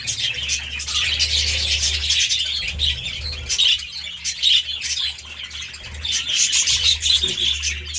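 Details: Budgies eating seeds and fresh vegetables give steady high chattering, with buzzy, scratchy notes and sharper chirps that rise into brief louder bursts, over a low humming background.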